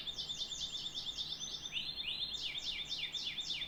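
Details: Canary singing repeated sharp descending sweeps with a thin continuous high whistle, pausing briefly before a second run of faster swooping notes.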